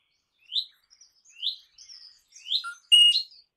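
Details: Crimson rosella giving several rising whistled notes about a second apart, ending in a loud harsh screech.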